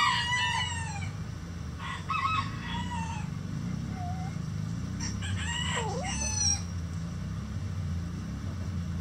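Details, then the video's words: Mixed flock of egg-laying chickens in a coop: several hens give drawn-out, rising and falling squawking calls in bursts, over a constant low mechanical hum. "Relaxing Chicken Coop Sounds"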